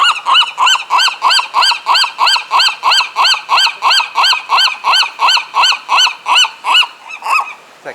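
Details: Seagulls at Monterey Bay, California, cackling as though acting like roosters, filmed on a Sony action camera. Harsh, arched laughing notes repeat steadily about three times a second for some seven seconds, fading slightly near the end.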